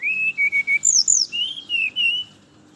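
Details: Brown-chested jungle flycatcher in the morning, its song serving as a lure for others: several short level whistled notes, a high descending slur, then lower wavering whistles, clean and loud.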